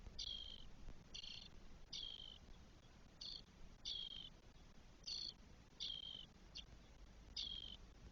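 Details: Spotless starling nestlings, four young on day 12 in the nest, Spain, 1 June 2022. A steady series of grating, hissing calls, some shorter and clipped, comes at uneven intervals under one second apart.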